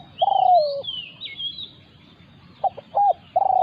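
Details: Spotted dove during a decoy session, as a wild resident bird confronts the decoy. A long drawn, gently falling coo is followed after a pause by short clipped notes and another long coo. High twittering from another bird overlaps.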